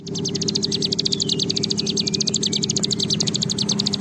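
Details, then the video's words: Rapid high-pitched rattling trill of a bar-winged prinia in long ngebren song, played to encourage other birds to sing; the notes run evenly without pause, accompanied by a persistent low-frequency hum. "Ciblek Gunung Gacor Ngebren Panjang"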